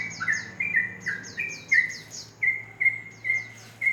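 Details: Sooty-headed bulbul singing in the morning: short clear whistled notes, some level and some sliding, repeated in a loose series, with soft high downward-sweeping notes overlapping and a low hum beneath.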